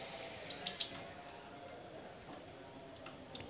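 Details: Cinereous tit singing to lure lazy caged birds into calling: three quick high whistled notes in a tight run, a pause of over two seconds, then another sharp high note.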